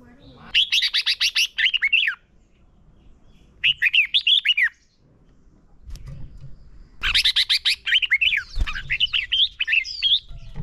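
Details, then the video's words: Red-whiskered bulbul, a caged bird whose song serves as a training lure: rapid staccato notes opening into warbling whistled phrases, three bursts split by silent gaps, the last long and varied, over a faint low background hum. "Chào mào hót"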